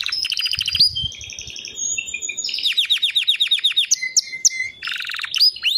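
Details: A white canary sings a mixed phrase of short twittering notes, a thin drawn-out whistle, a rolling trill of falling notes, lower level whistles and a final chattering burst, with faint background rustle.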